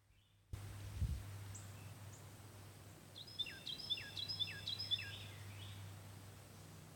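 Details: Birds singing at Black Creek: a short series of bright, repeated whistled notes with sharp downward slurs, several phrases in quick succession over steady low hum and background environmental noise.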